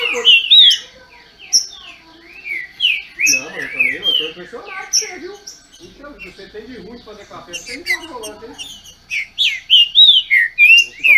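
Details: Captive green-winged saltators from Brazil competing in song. Loud, bouncy whistled phrases start and end the stretch, with human speech and softer chirps in between.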